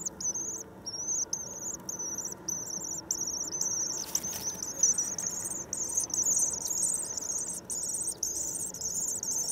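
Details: Common swifts, just returned on 9 May. A thin, buzzy, high-pitched trill runs almost without a break through the whole stretch, wavering slightly in pitch, with brief gaps and a soft rustle at mid-clip.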